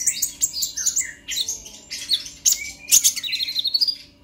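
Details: Purple-throated sunbird song in the heated 'ngobra' style used to encourage other birds to sing: bursts of high, scratchy twittering and thin whistles, ending in a fast, fluttering trill-like run.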